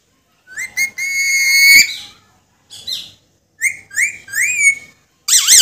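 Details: Pet Alexandrine parakeet talking, giving harsh harmonic syllables, a drawn-out steady tone, then a string of rising and falling whistled, speech-like phrases ending in a wavering trill; quiet room otherwise.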